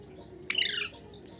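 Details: A single raspy, grating squawk from an Alexandrine parakeet, sharp at onset and falling in pitch over roughly a third of a second, then quiet room noise.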